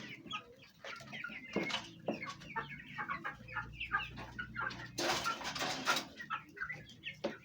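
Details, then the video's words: Home flock of Fayumi chickens of Egyptian origin, hens and chicks eating and fighting; scattered chick peeps and clucks broken by loud bursts of wing flapping or scuffling near the middle. "Chicken sound effect at home| hen voice | chicks"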